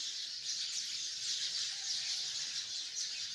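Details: Hundreds of sparrows gathered in a tree, giving a dense, steady wash of high, overlapping chirps with no pauses, like continuous twittering.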